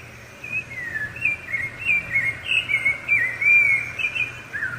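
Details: Rufous-bellied thrush song, strong and used to mark territory and attract a female; clear whistled phrases, some slurred downward, others rising, given in quick succession with short pauses between them.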